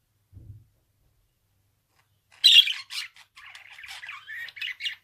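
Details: After a faint low thump and two seconds of quiet, a budgerigar starts up with a loud scratchy squawk followed by rapid, buzzy, chattering warble notes.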